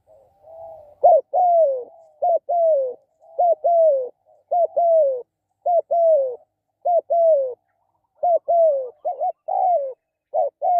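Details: A long run of spotted dove coos: about ten short-long pairs, each ending in a sliding, descending note. The rhythm is fairly steady, and the dove sounds close with no competing noise.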